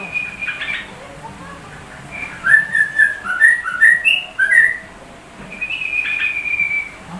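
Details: Sooty-headed bulbul singing a song that imitates the white-rumped shama: a long high whistled opening, then a run of quick clear whistled phrases dipping and rising, ending in another sustained thin whistle, indoors.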